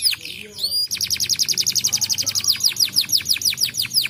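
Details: Canary singing to set off other canaries: a brief burst of varied high notes and curved whistles, then a long rapid rolling trill of evenly repeated high downward-sweeping notes that slow slightly toward the end.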